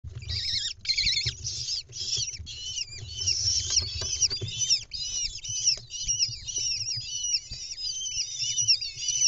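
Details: At a lesser kestrel nest box in Israel on 10 May 2021, as the mother brings a mouse to chicks hatched in late April, kestrels give shrill, arched squealing calls in a near-continuous rapid series, several birds overlapping, over a low windy rumble.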